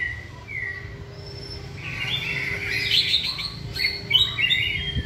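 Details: Caged white-rumped shama in singing practice: a few soft whistles at first, swelling into a dense continuous warble of high notes and quick sweeps.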